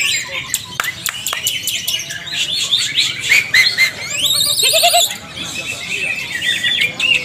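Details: Cucak ijo in a group training session, singing actively with rapid chirps and clicks, then warbled phrases and a rising whistled sweep near the middle, bright and busy throughout with some background noise.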